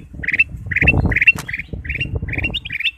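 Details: Ruby-throated bulbul lure song: short bright chirped phrases repeated roughly every half second, each a quick rising cluster of notes, with thumping and rustling noise underneath.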